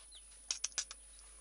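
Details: A hand-tame Silkie chick gives four quick, high, thin peeps in under half a second, then falls quiet; nothing else stands out.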